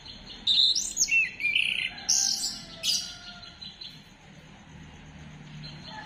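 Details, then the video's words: Orange-headed thrush (anis kembang) lure song recorded 15 December 2025. A brief flurry of high, scratchy whistles and chirps lasts about two seconds and then fades into soft background noise. "Gacorkan Burung Anis Kembang Dengan Pancingan Suara Ini"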